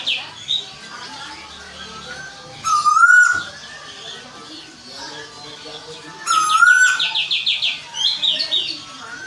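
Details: Captive Asian koel kept in Bogor, Indonesia, giving two loud clear whistles that rise slightly and end abruptly, about four seconds apart, amid soft chattering and a quick buzzy series of chirps from another bird.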